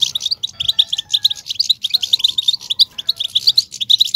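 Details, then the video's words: European goldfinch song played to excite males into singing: a loud, dense, continuous twittering of quick, tinkling high notes and trills with no pause, and faint background tones beneath. "بتبتة الحسون صوت وصورة, بتبتة الاقوى لتحفيز الحسون بشكل مجنون"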